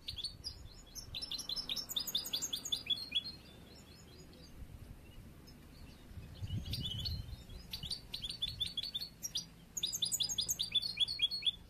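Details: Immature song of a young yellow-brown mutation goldfinch being trained for song competitions: rapid, high, tinkling twitter phrases in several bursts separated by short gaps, with faint low background rumble.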